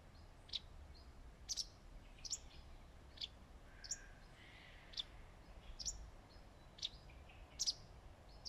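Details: Perched in leaf shade on a branch, a wagtail gives a long run of sharp, high single and double chirps at uneven spacing, roughly one per second, against quiet outdoor hiss.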